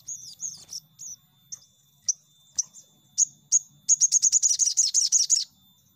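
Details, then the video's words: Crimson sunbird lure call for quickly setting untrained birds singing. Scattered sharp, high slurred 'tsip' notes gradually speed up into a rapid, rhythmic high chattering trill, with faint low hum beneath. "Pancingan Sogon Bahan Cepat Nembak"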